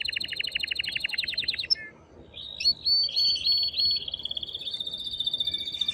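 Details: Excited male canary singing strongly to arouse the female for mating, for young birds to hear: a fast pulsed trill, a pause, then linked whistled phrases running into a long even trill.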